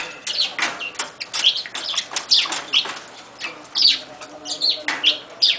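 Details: Umbrella cockatoo kept as a pet, calling to get an Amazon parrot to pay attention to it. Rapid, harsh, high-pitched squawks repeat several times a second in uneven bursts, with some faint rustling underneath.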